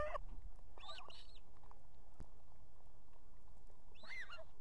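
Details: At an osprey nest in Estonia on 18 July 2016, with two chicks, the female gives three short bursts of piercing, slurred whistles over steady low wind rumble, calling the male, who soon arrives with food.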